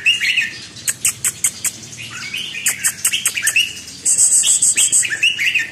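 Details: Red-whiskered bulbul kept in a cage gives bright warbled whistles between sharp clicking chirps. A steady, high, buzzing trill cuts in near the end.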